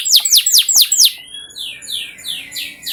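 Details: Canary song played as a lure to coax other canaries into full song: five loud, sharply falling whistled notes in quick succession, then a softer run of short warbled and chirping notes.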